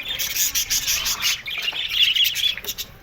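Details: Aviary colony of Australian budgerigars producing a lively mix of high chirps, trills and scratchy warbles, many birds overlapping in pulsing waves.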